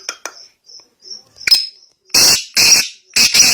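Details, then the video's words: Black francolin held in a person's hand calling: faint clicks and thin high notes at first, then three loud, harsh, grating bursts spaced about half a second apart. "Hath Main Pakara howa Teetar bolta howa"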